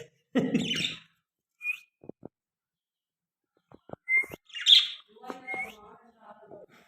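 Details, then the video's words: Pet baby parrot that talks in Hindi gives a coarse squawk, scattered clicks, short whistled notes and a loud rasping chirp, ending in soft murmured chatter. "Amazing Talking Mian mitho Parrot Hindi"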